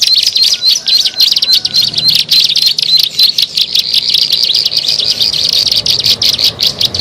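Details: Bar-winged prinia call used to lure birds, made of quick thin chirps in rapid bursts, a brief pause between groups, high and bright throughout.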